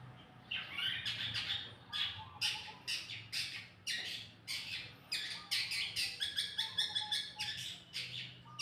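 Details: Masteran bird song used to draw answering calls from other birds: loud, dense bursts of harsh, squawky, chattering notes repeated in quick succession, with a faint steady hum underneath.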